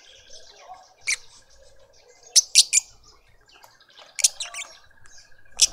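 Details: In a suburban Pretoria garden, South Africa, a lovebird family feeds a juvenile; piercing high squeaks come singly and in tight triplets, scattered between softer twittering from other birds.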